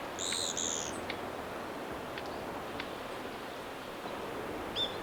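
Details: Daurian redstart: a thin, high whistled note near the start, a few soft ticks in the middle and another brief high whistle at the end, over constant broadband hiss.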